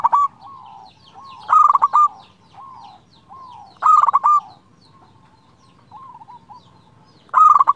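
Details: A local zebra dove singing to provoke a rival. Its loud, clear cooing phrases of stuttered notes and a held ending repeat several times. Fainter wavering coos sound in between.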